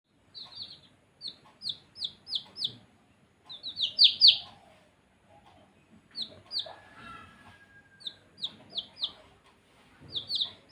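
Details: Baby chicks chirping: high, short, downward-sweeping peeps in quick irregular runs, broken by brief pauses, with a soft low background murmur.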